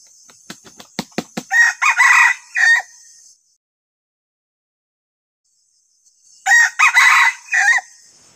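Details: Decoy rooster kept to lure wild junglefowl. A run of quick sharp claps comes before a harsh, raspy crow. After a few seconds of silence, a second similar crow follows over a faint high insect hiss.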